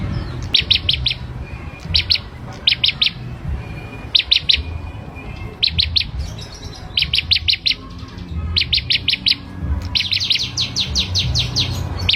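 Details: Hand-raised Ashy prinia, kept since young, in lively song: repeated short trains of quick, clipped high notes, each burst of three to six notes, delivered steadily throughout with a faint low hum behind.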